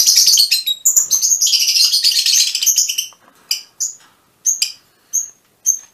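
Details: Fischer's lovebirds, a colour mutation: dense, high shrill chattering and chirps for three seconds, then separate sharp squeaky chirps repeated roughly every half second.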